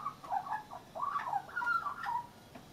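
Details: A young leucistic Australian magpie (Gymnorhina tibicen) perched on a railing at lunchtime sings a soft, rambling warble of mellow fluted notes sliding up and down in short bursts, with faint background hiss.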